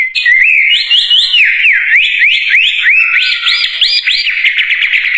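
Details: Wambie bird in full song: loud, sweet whistled phrases swooping up and down in rapid rolling loops, ending in a fast quavering trill, with no other sounds.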